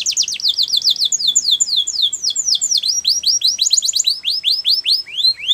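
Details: Canary training song: a long fast run of high descending sweeps, the phrases changing shape and slowing slightly toward the end.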